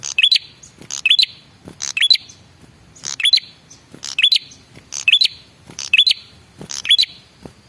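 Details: Male red-headed prinia giving a lure call meant to make other prinias answer: a harsh buzzy burst and a high, rising whistled chirp, repeated about once a second through the recording.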